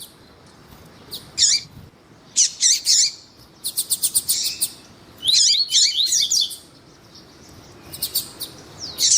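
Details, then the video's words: Double-collared seedeater (Sporophila caerulescens) singing with a calling female, used to stimulate males: bursts of high buzzy notes and rapid repeated ticking trills, with rising whistled phrases, in short separated strophes. "ESQUENTAR COLEIRO TUÍ TUÍ COM COLEIRO TUÍ-TUÍ E FÊMEA CHAMANDO PARA ESQUENTAR COLEIRO TUÍ-TUÍ"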